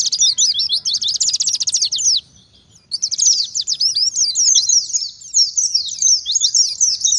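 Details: Lure recording of an oriental white-eye's wild-style song: a rapid high buzzy trill of chirps, a short silence, then a long run of quick, jumbled twittering notes.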